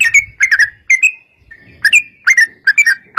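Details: Yellow-vented bulbul lure recording to draw replies from other bulbuls: loose clusters of short sharp whistled notes with slurred tails, grouped in twos and threes, separated by brief gaps and faint low hum.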